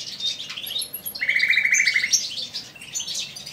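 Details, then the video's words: A captive male common nightingale singing in an aviary gives a varied phrase: high, sharp chirps, then a fast run of about ten identical mid-pitched notes, followed by more bright whistles. "Nightingale singing"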